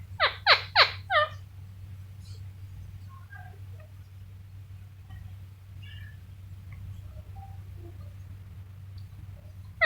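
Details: A pet Indian ringneck (rose-ringed) parakeet indoors gives three loud, harsh, rasping squawks in quick succession, then only faint scattered chirps over a steady low indoor hum.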